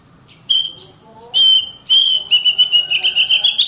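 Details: Caged Oriental magpie-robin in energetic, continuous song, kept to train other birds to sing and fight: long clear whistles near one steady pitch, then a fast run of repeated chattering notes sliding upward.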